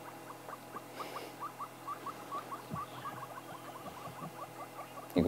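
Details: At sunrise on 29 February 2016 in Sabi Sand, South Africa, hornbills call near a safari vehicle: a fast, steady run of hollow clucking notes, several each second, over low vehicle rumble, with a short knock at the end.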